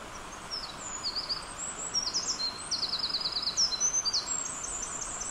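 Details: Japanese accentor singing while preening; thin, very high, sliding notes strung into quick chattering phrases that grow denser toward the middle, over steady broadband environmental noise.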